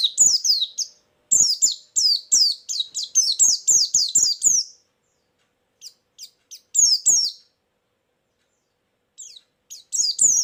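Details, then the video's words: Lure song of a white-eye for trapping birds, fast series of high sliding chirps in dense bursts about three per second, then scattered short notes after a pause. "suara burung pleci pikat+isian"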